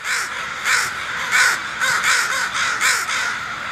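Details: Crows cawing as they fly off: harsh, hoarse caws repeated roughly every half second, about seven in quick succession, loud and close, with no other clear sounds.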